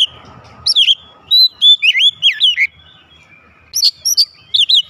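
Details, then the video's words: Oriental magpie-robin at home answering loudly: a series of fluid whistled glides and looping notes, then high sharp chips after a short pause. "Kacer rumahan langsung nyaut gacor keluar suara keras"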